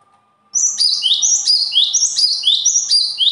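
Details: After a brief silence, a bird bursts into continuous high song: rapid, evenly repeated two-note phrases, piercing and swooping, nearly four per second for almost three seconds without pause.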